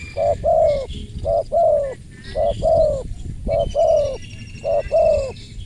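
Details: Spotted dove with a crisp voice, cooing in paired phrases: a short low coo followed at once by a longer, slightly falling one, five pairs about a second apart, with faint thin whistles from other birds behind.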